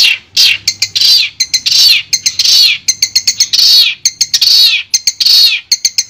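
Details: Long-tailed shrike sounds for a silent shrike's therapy: loud harsh downslurred squawks alternating with quick clipped notes, repeated in a steady rhythm.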